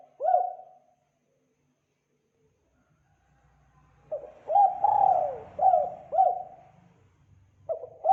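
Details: Spotted dove coos for luring birds: a short single coo, a long gap with a faint low hum, then a mellow phrase of short hoots and one longer falling coo, and another phrase starting.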